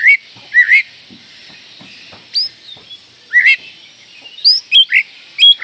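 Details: Oriental magpie-robin notes serving as a lure to set young birds singing: short clear whistles and upslurred chirps in small clusters, with pauses between, over a faint high hiss.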